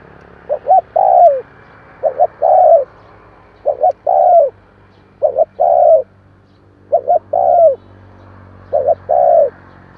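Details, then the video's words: Spotted dove coo meant to trigger cooing in newly caught doves: six steady phrases, each a quick pair of short notes followed by a longer falling coo, about every one and a half seconds, over soft low hum. "Chim cu gáy kèm hay kích bổi Nhanh nổi hiệu quả/ Tiếng chim cu kích bổi"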